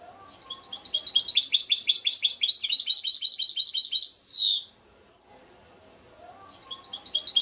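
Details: Goldfinch mule (hybrid) from Šuto Orizari: a fast run of bright, chattering notes repeated about three per second, ending in a buzzy falling slur, then a short pause before the song resumes.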